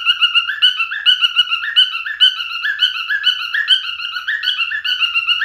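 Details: Singing male cockatiel gives a long chain of short, clean whistles that rise and fall in small steps, repeating a bouncing phrase over and over in a quiet setting.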